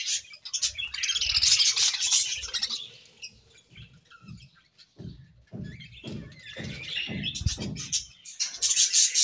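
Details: Pet budgies frolicking in wet leaves on a hot day: bursts of raspy, high chattering with a quieter lull, then repeated splashing thumps before the chirping swells again.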